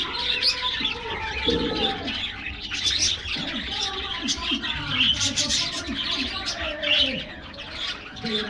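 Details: Budgerigars in an aviary, happy at a morning diet treat, pour out busy high chirps and buzzy warbles without pause. Faint, short low notes sit beneath the chatter.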